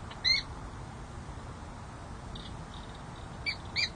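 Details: Peregrine falcon pair at San Jose City Hall, January 13, 2024, with the female courting the male: three short, high squealing chips, one early and two close together near the end, over a steady low city rumble.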